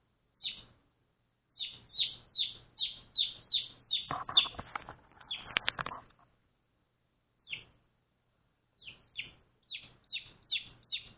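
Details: One-day-old pet baby chicks chirp in loud, high, falling peeps, in quick runs with pauses. A burst of rustling or wing flapping comes midway, then the steady peeping resumes.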